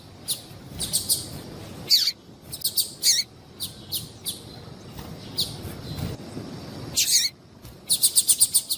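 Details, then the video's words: Female papa-capim calling so that males will sing: scattered high, thin chirps and downward-sweeping notes at irregular intervals, ending with a fast, even burst of about six sharp chirps. "Esse Piado de Fêmea de Papa capim é Seu Papa capim Vai Ficar Cantando"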